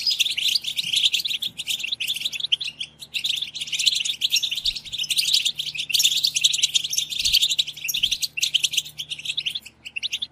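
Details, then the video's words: Many European goldfinches twittering together, a chorus used to excite goldfinches into song; continuous high, jangling chatter with liquid trills and buzzy notes, hardly pausing for ten seconds, only a faint low hum beneath. "اقوى بتبتة جماعية لتحفيز الحسون على التغريد"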